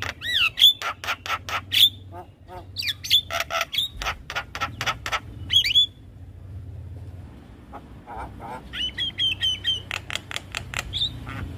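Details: Lively Javan myna song packed with filler phrases, meant to prompt a captive lure myna to answer fast. Grating broadband rasps and sharp whistles come in quick bursts, a brief quieter gap midway, then another rapid harsh series ending in a whistle.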